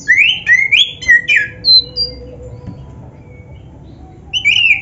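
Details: Oriental magpie-robin, black-breasted form, singing a training song: a series of rising whistled notes in quick succession, a few high thin whistles, a pause, then another whistled phrase.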